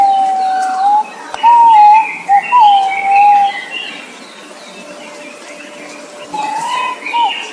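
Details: Nok pao, a bird named in Thai, calling with smooth sustained whistles that waver and dip, a pause of quieter hiss in the middle, then another rising whistled phrase near the end.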